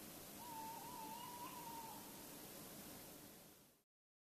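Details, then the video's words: Tawny owl hooting at night, Bergen, North Holland, February 16th 2016, around 3:45 a.m.; one long quavering hoot with a slight warble, about one and a half seconds, fading into hiss before the sound cuts off. "Bosuil roept in Nacht"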